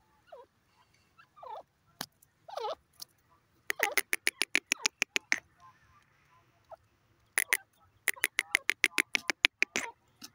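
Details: Grey francolin calling: rapid series of loud sharp repeated notes, about three per second, in bursts, with a few lower slurred notes between phrases.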